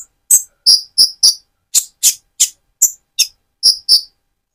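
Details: Sharp high chips from a speckled-plumage Van Hasselt's sunbird, sung to stimulate another bird, repeated roughly every third of a second, some notes doubled in a bright two-part tone.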